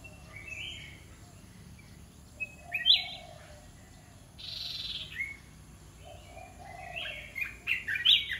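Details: Caged red-whiskered bulbul in a mixed Dok Taeng and Ta Daeng song: scattered sweet, slurred whistles with a brief hiss near the middle, ending in a denser burst of rising notes; faint low hum behind.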